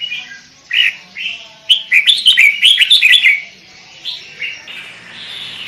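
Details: Actively singing sooty-headed bulbul recorded to lure birds: a few spaced whistles lead into a rapid bubbling, chattering phrase of bright notes, then softer drawn-out sliding whistles at the end.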